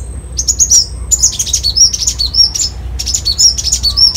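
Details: Copper-throated sunbird giving high, thin, tinkling chirps in short quick phrases separated by brief pauses, opening with a faint sustained whistle.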